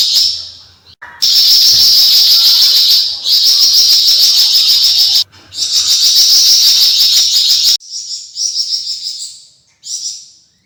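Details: Javan fulvetta (Alcippe pyrrhoptera), a captive songbird kept as a tutor for other birds, giving its typical chattering besetan song: long dense high buzzy trills held for seconds, broken by short pauses, then shorter bursts.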